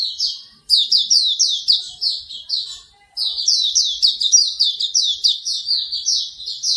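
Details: Hume's white-eye singing in a morning recording meant to encourage another bird to sing: two long bursts of fast, high, sweet twittering notes tumbling over each other, separated by a short pause, in a quiet background.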